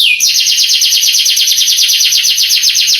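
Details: Male canary song used as a tutor recording to excite young canaries into answering and singing; a fast, dense trill of repeated descending notes after a brief opening whistle, continuous and loud.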